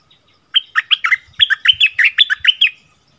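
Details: Bulbul song in a double-phrase style, February 2021: a few spaced whistles quicken into a fast, tumbling string of rich, liquid notes, with soft low taps beneath.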